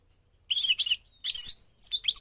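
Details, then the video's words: Migrating goldfinch delivering three tight bursts of buzzy, high twittering, each roughly half a second long, in quick succession. "The singing of the migrating goldfinch"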